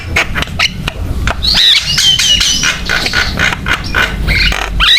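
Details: Javan myna song played to prompt other mynas to sing, with scratchy notes and wavering whistles swelling in the middle, surrounded by clicks and low rumbling background noise.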